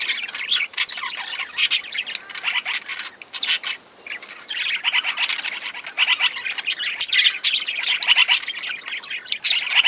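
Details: Aviary budgies mixed with other parakeets and lovebirds chatter continuously, a steady wash of quick tweets and short squawks with frequent louder peaks.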